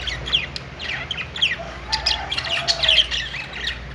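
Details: Several budgerigars on a perch in a pet store chirping together: dense, overlapping chatter of short rising and falling high warbles and quick tweets, with brief sharper squawks and a faint low hum beneath.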